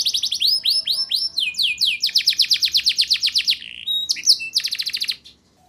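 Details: Canary song meant to coax young canaries into singing: quick downward-sweeping notes run into a sustained rolling trill of about a dozen pulses, then sharp piping notes and a short stop at the end.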